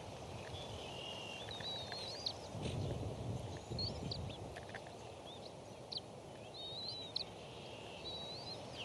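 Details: Three Bald Eagle eaglets at the Decorah nest, crowded together while a parent feeds them fish, giving thin, high whistled chirps that slur up and down in loose bursts, over steady low wind rumble.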